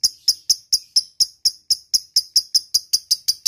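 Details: Ngetik-style ticking of a lovebird, played as a lure for rival birds: crisp high clicks at a steady pace of roughly four per second, nothing else audible.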